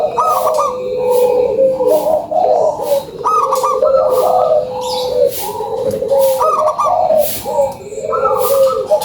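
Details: Local zebra dove, a lure recording for other doves, gives repeated bubbly cooing phrases that rise into a higher trill, overlapping with other doves cooing in the background and faint high ticking.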